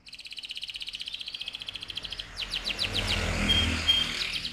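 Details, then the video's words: AF canary singing in ngerol rolling style: an even buzzy trill for two seconds, then quick downslurred chips partly masked by a rising broad rumble of noise. "KENARI AF GACOR, NGEROL VOLUME KERAS"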